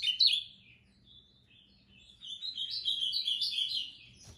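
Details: A bright opening note from an ultramarine grosbeak, a brief pause, then a lively moicano-style phrase of rapid, wavering whistled notes that climb and fall before fading.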